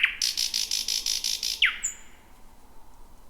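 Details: Thrush nightingale, first of 2026, singing at night around 00:40–2:00 on 10 May in dense bushes: a falling whistle, a fast dry rattle of about eight harsh notes, a steep downward slur and a thin high whistle.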